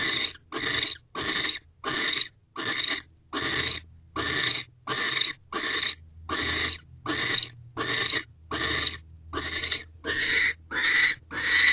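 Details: Mating owls in a nest box, Owl Box C, 15 December 2023, 7:47 pm: a steady series of rasping, hissy screeches, about seventeen evenly spaced bursts, each under half a second, over faint low humming.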